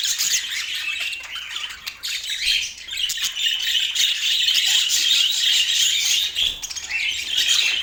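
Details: Budgerigar in Portland chattering nonstop: a dense, high stream of scratchy chirps and short squawks that runs the whole time, briefly easing near two and seven seconds before picking up again.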